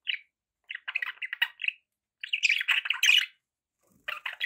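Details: Budgerigars warbling: buzzy, wavering notes strung together in short phrases, one rising into a brighter, louder chirp, then a fresh warbled phrase.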